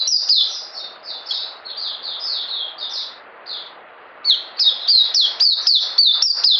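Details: Puteh (oriental white-eye) mousey-style singing from 9 June 2019. Gentle high falling slurs, a short lull, then louder, faster chips and downslurs rattled off in quick succession.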